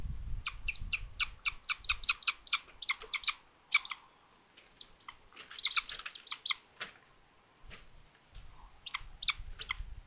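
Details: On a solar-powered nest camera in Tiszalök, Hungary, 29 May 2022, a young common buzzard sister goes after her brother. Quick series of bright, clipped chips come in bursts with short pauses, and there are occasional low bumps.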